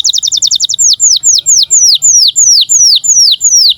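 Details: Singing canary in breeding condition, used as a tutor for young birds: a quick stutter of sharp high notes followed by a steady series of loud, clear, downward-sweeping whistles, about three per second.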